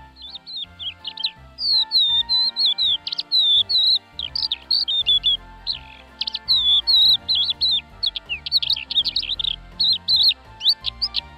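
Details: Crested lark pouring out a rapid, sustained medley of whistled and warbled notes, many slurred downward, almost continuous for over ten seconds, with steady faint low tones beneath.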